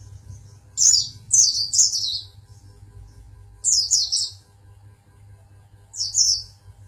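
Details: Champion Oriental white-eye from Pangandaran singing in bursts of high, thin, descending chirps, grouped in threes with pauses between, over a low steady electrical hum.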